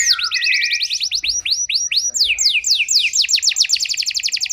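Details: Canary (kenari) lure song used to provoke out-of-condition canaries into responding: rapid trills of steeply falling whistled sweeps, changing through several trill phrases and speeding into dense rolling sweeps toward the end.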